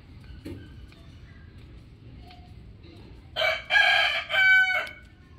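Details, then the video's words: A rooster crows loudly: a bright, strained, harmonic crow of about 1.5 seconds in three bursts, preceded by faint distant calls and a soft background murmur. "Amazing rooster crowing | Rooster calling loudly"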